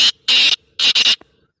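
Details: Black francolin (kala tater) calling loudly: a clipped harsh note, a longer rasping one, then a quick grating pair followed by a faint click, all within about one and a half seconds.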